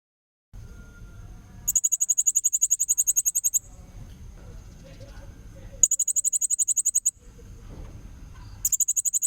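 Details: Blue-crowned hanging parrot song as a tutor recording for young magpie-robins: three bursts of very rapid, shrill, high buzzy pulses, each about two seconds long, separated by stretches of low rumbling background noise.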